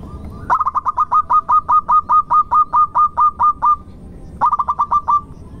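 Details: Local zebra dove song meant to set other birds singing: an extended string of roughly seventeen quick, clear coo notes, then a pause, then a faster phrase of about seven notes.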